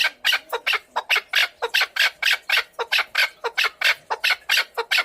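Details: Chukar partridge producing loud, bright, raspy notes in a quick irregular sequence, some doubled, forming a continuous chattering call.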